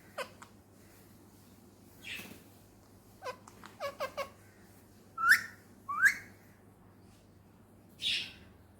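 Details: Pet male Indian ringneck talking parrot, Pakistan, indoors: scattered clicks and short chips, a burst of quick clicking notes, then two clear upward-curving whistles and a closing hoarse squawk.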